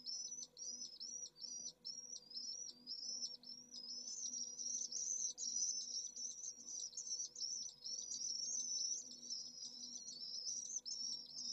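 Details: Pallid swift nest with one chick in Jerez de la Frontera's city centre, 25 August at midday during a heatwave over 44°C; clipped high trills in quick succession merge into a longer, denser screaming stretch, with a soft low hum.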